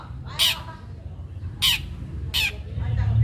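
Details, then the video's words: Long-tailed shrike singing sharply as a lure to make other shrikes sing; three loud, rasping bursts about a second apart over a low rumbling background. "Cendet gacor Tarung Tajam Bikin cendet lain terpancing ikut Gacor"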